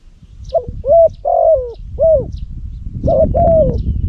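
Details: Spotted dove used as a decoy for luring, Cambodia, bird with a big loud voice: a full four-note coo phrase of rounded, slightly falling hoots, followed by a second shorter phrase. Low background rumble and faint distant chirping.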